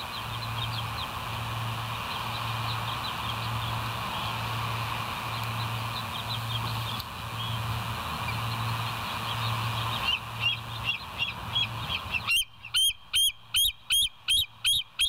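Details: Bald eagle at the West End nest on a live cam, 26 September 2023, 07:01: faint, distant high chips under a steady hum, then louder notes from ten seconds, ending in about eight strong, evenly spaced piping calls.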